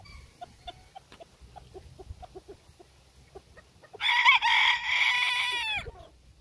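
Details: Soft, short clucks repeated at a steady pace lead into one loud, rasping bantam Phoenix crow held for nearly two seconds before it falls away.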